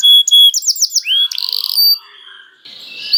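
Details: Canary song used as bait to prompt other canaries to sing: bright high whistled notes, a run of quick falling sweeps, a buzzy trill, then a fainter rasping passage and a rising whistle.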